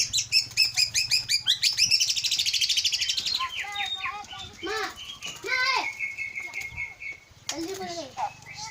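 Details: Aceh Leuser white-rumped shama, a caged contest and breeding bird, with rapid repeated high chips grading into buzzy rattles, downslurred whistles and a long steady whistle.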